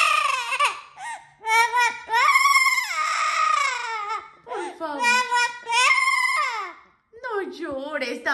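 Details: A pet female Amazon parrot cries because she cannot be taken outside in cold weather, with drawn-out, sobbing wails that rise and fall like a weeping child, in bursts with short pauses, as a woman's voice comforts her.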